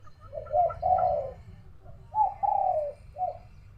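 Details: Dove cooing around one in the afternoon near a home on a hot day with rain threatening; two low, mellow cooing phrases, each a short note followed by a longer drawn-out coo, separated by about a second of low rumbling background noise.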